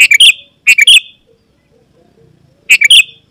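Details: Sooty-headed bulbul calls meant to draw wild rivals near: three brisk phrases of quick stacked chirps ending in a slurred note, the first two close together, the third after a two-second pause.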